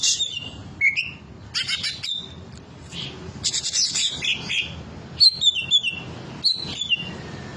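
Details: Lavish, varied song of a cucak ijo or green leafbird, mixing rasping high bursts, squeaky chirps and crisp downslurred whistles in quick, irregular succession.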